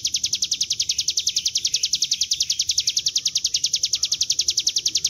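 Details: Lure recording of a Bar-winged prinia in the ngebren style. A steady stream of rapid, high, sharp notes continues throughout with very even rhythm and little background sound.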